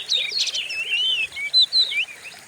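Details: Oriental magpie-robin singing on a lure recording meant to provoke other kacer: smooth slurred whistles and a few sharp high notes, somewhat softer, with faint background hiss.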